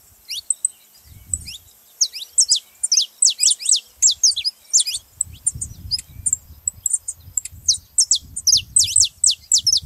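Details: Saffron finch song used to fire up a silent canary: bright, high-pitched chirps pouring out in fast, irregular clusters nearly throughout, each note a sharp downslur, with a low rumbling hum underneath.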